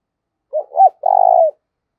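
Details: Fighting-provoking call of a Spotted dove used to lure rivals as a decoy: two short looping notes followed by a sustained, throbbing low coo that trails downward, in clean silence.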